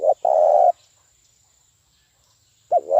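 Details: Spotted dove lure call for trapping: a short note and a long, even rolling coo, then after a gap the two quick opening notes of the next phrase begin, with a faint steady high tone.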